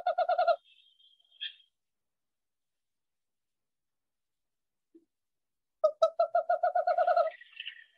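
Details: Western Screech-Owl call, heard at night, giving a mellow, hollow series of quick, evenly pitched hoots, about a dozen notes in under two seconds, picking up pace like a bouncing ball.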